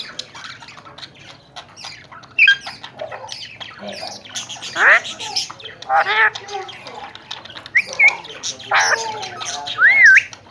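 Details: Alexandrine parakeets, tame talking birds from Pakistan described as active and healthy, give loud grating squawks and clipped rising whistles, ending in a clear looping whistle, with softer chatter throughout.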